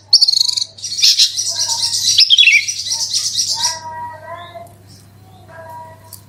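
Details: Bushlark lure song in 'roll tembak' style: an unbroken, dense scratchy warble of high notes for about four seconds, ending with a dipping whistle, then quieter low tones and hum.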